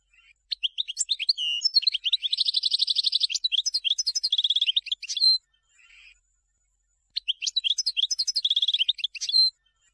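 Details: European goldfinch song used to teach young birds: long, dense, rapid twittering with slurred whistles and a sustained buzzy trill, ending on a drawn note; after a short break, another fast twittering phrase follows.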